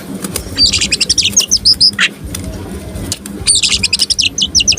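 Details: Tame oriental magpie-robin singing with its tail spread, used to provoke rival birds; bursts of rapid, high chirped and whistled notes, with a pause between phrases and faint background hum.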